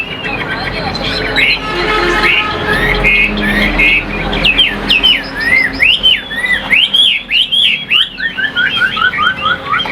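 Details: Captive Chinese hwamei offered as a good singer, its loud, varied whistling starting amid low rumbling background noise and growing into fast, repeated slurred phrases with rising and falling notes over the second half.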